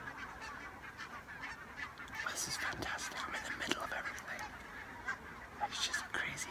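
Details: Wintering barnacle geese, hundreds of them, call around a hide in southern Scotland before the sun is up. Separate short, barking yaps come at an irregular pace over a murmur of distant birds, with occasional sharp clicks.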